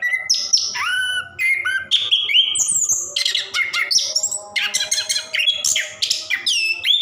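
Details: Orange-headed thrush kept in a cage, singing nonstop 'ngerol' style as a prompt for lazy birds; clear falling whistles open, then dense buzzy and chattering high phrases, over a faint steady low hum.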